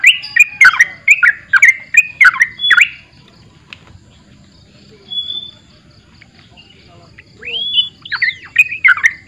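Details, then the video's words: Sooty-headed bulbul in gacor borak barik song: a quick series of rich, warbling whistles, a quiet gap broken by a faint thin tone, then fresh looping whistled notes rising again. "TRUCUKAN GACOR BORAK BARIK"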